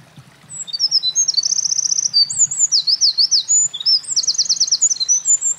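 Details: A singing Eurasian wren at a mountain pass in late April 2024, moving between spots after gathering nest material; a very rapid, high, tumbling song of clipped notes with two fast rattling trills, delivered nonstop for over five seconds.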